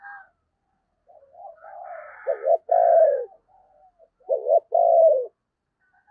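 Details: Spotted dove decoy, Tet season, calling to draw in wild doves: quiet low murmurs build into two loud phrases, each a stuttered double note and a long descending coo, about two seconds apart.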